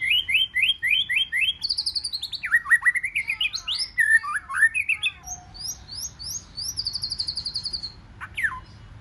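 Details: White-rumped shama singing 'forest voice' contest song to stimulate wild-caught shamas: a fast repeated rising note series, tumbling slurred whistles, then a high rapid trill and a final sharp downward sweep.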